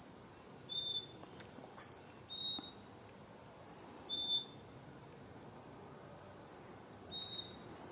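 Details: Fall 2021 backyard chickadees among autumn leaves: high, glassy whistled notes in descending runs, repeated in three separate bursts with brief faint clicks and a steady low hiss.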